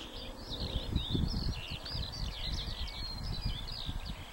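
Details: Eurasian skylarks singing at Warfield on the 1st of May 2013: a continuous high warbling stream of quick chirps and trills, with steady wind rumble and rustling underneath.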